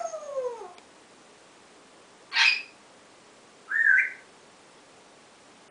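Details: Pet African grey parrot practicing a new "oowww" sound indoors: a descending whistled slide, then a harsh squawk, then a short rising whistle-like note, with quiet gaps between.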